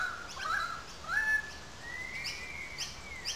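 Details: Currawong whistles in the gully above the Sydney Park wetlands, St Peters, Sydney: short falling notes, then a rising slur that becomes a long, even, slightly drooping whistle, with faint higher chirps behind.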